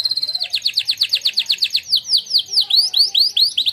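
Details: Training song of a contest-winning canary: clear run of rapid descending slurred notes at an even pace, slowing slightly into broader swooping upward notes.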